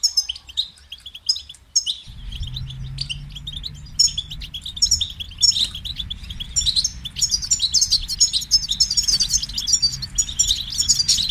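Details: European goldfinch song: high twittering chirps, sparse at first and then dense and excited; a steady low hum joins after about two seconds.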